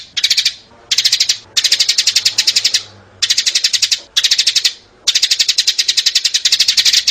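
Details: Adult and young sparrows, recorded as a lure for trapping: rapid, harsh, high chirps strung into loud bursts of roughly a second, with brief pauses between bursts.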